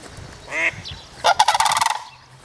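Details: Three sandhill cranes at Reifel bird sanctuary calling together: a brief harmonic note, then a loud rolling rattle of about a dozen rapid pulses lasting under a second.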